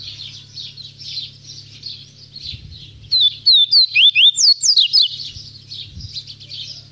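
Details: Captive double-collared seedeater singing a quick series of about nine sharp, clear whistled notes, each sliding down or up, after a stretch of soft twittering from other birds and a low steady hum.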